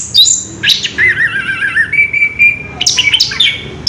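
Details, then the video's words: Orange-headed thrush mixing sharp high chirps with a wavering warbled trill and a long steady whistled note, then resuming quick chirping phrases. "Burung Anis kembang ngerol edan luar biasa"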